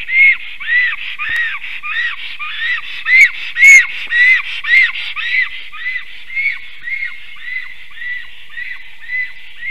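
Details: Black stork, a ringless nesting adult returning to its nest in Latvia at 5:58 pm on 9 April 2024, singing and defending before flying off: a long series of high, wheezy upslurred whistles about twice a second, faint clicks behind.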